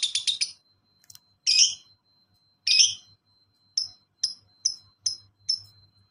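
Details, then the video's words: Lovebird master recording: a quick burst of harsh chirps, two longer squeaky calls, then a run of short, thin chirps about every half second, over a faint steady tone. "Lovebird Ngekek santai dilanjut speed rapat"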